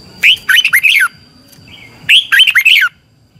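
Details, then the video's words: Red-whiskered bulbul 'xoắn tít' training song for rousing birds: two bright, rapid phrases each of four or five looping whistled notes, about a second and a half apart, with a faint high whine and soft low background rumble. "luyện giọng chào mào hót hay, Giọng xoắn tít -KÍCH CHIM CĂNG LỬA, Luyện chào mào hót sáng"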